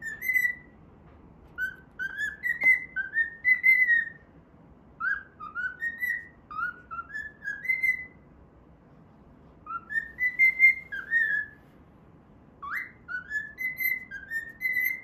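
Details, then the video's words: Pet cockatiel singing while it plays, whistling the Pythagora Switch opening theme: clear mid-pitched whistled phrases of slurred notes in bursts, with quiet pauses near nine and twelve seconds. "歌いながら遊ぶミロ｜Milo playing while singing."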